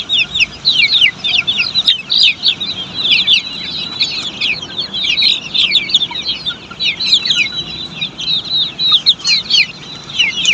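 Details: Poultry-farm Australorp chicks making a continuous crowded chorus of piercing high peeps, each short and downslurred, many birds overlapping throughout with only brief dips.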